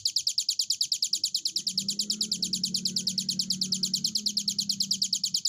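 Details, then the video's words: Hill prinia song delivered energetically: a fast train of bright, high-pitched repeated notes, roughly two to three per second, evenly spaced throughout, with a low droning hum in the background. "burung ciblek gunung durasi panjang gacor"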